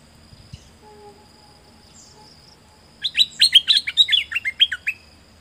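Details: A dok taeng bird, whose song serves for bird training, stays quiet for three seconds amid faint background sounds, then breaks into a fast, tumbling series of about a dozen high, sharp chirps.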